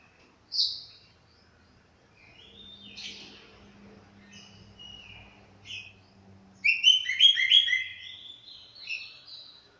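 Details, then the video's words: After moulting, an Orange-headed thrush sings scattered single whistled notes, then a rich, fast, tumbling phrase of sweet overlapping notes lasting about three seconds, over faint low hum. "Burung Anis Kembang selesai mabung"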